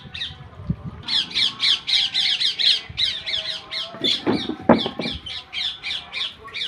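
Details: Parrot giving a fast run of harsh, raspy squawks, about three or four a second, in bursts with brief pauses; low thumps and handling noise underneath.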